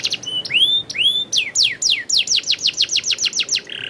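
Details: Canary song opening with rising and falling whistled slurs, then a fast run of loud descending sweeps repeated several times a second, closing on a brief buzz.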